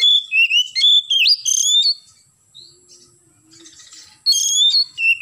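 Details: Oriental magpie-robin in lively morning 'gacor' song: bright whistled phrases with upward slurs run together for two seconds, a quiet gap, then the song bursts back in.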